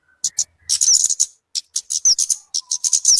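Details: Talokan, also called kemade, a bird whose sound is used for luring birds and for tutoring songbirds. The calls are bursts of very high, thin, buzzy chirps broken by short pauses, with a few quick rising squeaks.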